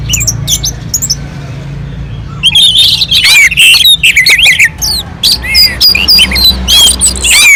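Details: Melodious orange-headed thrush song from a mountain slope, used to draw other birds into singing; quiet start, then loud energetic medley of whistles, slurs and chirps running to the end.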